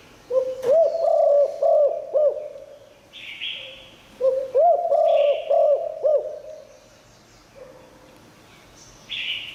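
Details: Spotted dove giving its liu tan cooing song to lure wild doves: two full phrases of low, bouncing coos about four seconds apart, each ending in a drawn-out hum, with hissy buzzes between them.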